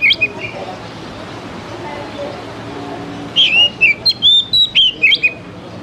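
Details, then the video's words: Lure song of the oriental magpie-robin, played to prompt young wild-caught birds to sing and to serve as a tutor song. One short whistle starts it, then quiet hum, then a late run of sweet rising and falling whistles. "SUARA PANCINGAN DASAR UNTUK KACER BAKALAN MUDA HUTAN TROTOLAN AGAR CEPAT BUNYI"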